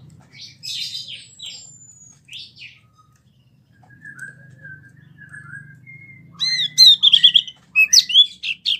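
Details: Wambie song from a kept mini bird: scattered high chirps, a thin drawn-out whistle and softer mid notes, then a dense closing burst of rapid, piercing chirps over a low background hum.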